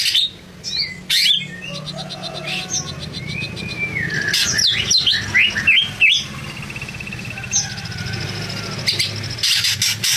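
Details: Greater green leafbird singing vigorously: a varied string of slurred whistles, rising and falling swoops and brief trills, broken by short pauses and scratchy chips, over a faint low background hum.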